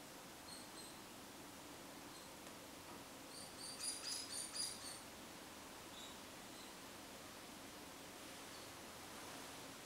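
A young hairy woodpecker gives a quick run of about five thin, high squeaky notes midway through, with a few scattered single peeps against a steady hiss.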